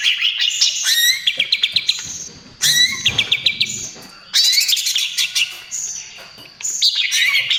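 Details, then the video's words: Greater green leafbird (cucak ijo) song for luring other birds: repeated series of evenly spaced rising whistled notes alternating with loud rattles and chattering bursts, in several abrupt sections. "SUARA CUCAK IJO TROTOL GACOR, AMPUH UNTUK PANCINGAN DAN TERAPI"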